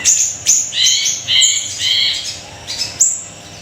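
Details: Siri-siri kecil singing energetically, offered as a tutor and lure recording for songbirds; high, thin chirps and short sweeping whistles, some with doubled bands, scattered over a few seconds against faint background hum.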